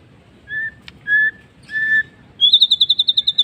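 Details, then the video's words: Afternoon song of a white-rumped shama: three separate steady whistled notes, a brief click, then a fast run of about a dozen rapid, evenly repeated high notes, clear and loud. "MURAI BATU bird singing in the afternoon"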